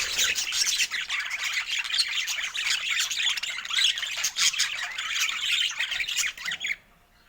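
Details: Budgerigars rejoicing over fresh food in Scandinavian daylight chatter nonstop in squeaky, buzzy warbles and chirps, the sound cutting off abruptly near the end.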